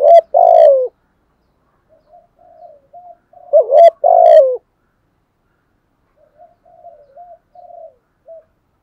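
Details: Spotted dove's full morning lure song, used to attract other doves: two loud phrases of a short hooked coo then a long, rolling falling coo, separated by soft muttered coos.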